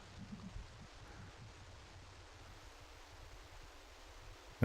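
Quiet outdoor ambience with a soft low rumble and a sharp knock at the very end, with no animal calls.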